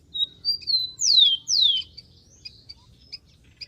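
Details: Wild rufous-collared sparrow: a few thin whistles are followed by two loud, long whistles that slide steeply downward, then soft chips trail off.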